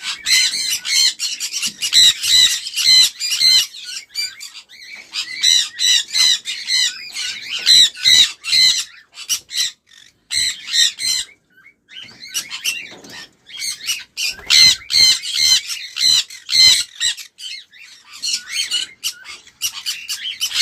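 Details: Sun conure producing rapid, harsh squawks in long volleys, bursts of several shrieks separated by short pauses, loud and insistent for twenty seconds.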